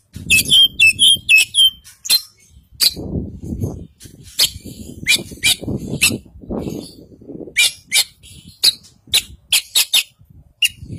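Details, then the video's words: Kacer Poci Oriental magpie-robin from East Java, white-breasted form, in full isian song: opening slurred whistles, then dense rapid chips and sharp clicks repeated several times per second, with low rumbling background. "Burung Kacer Poci Jawa Timur Full Isian"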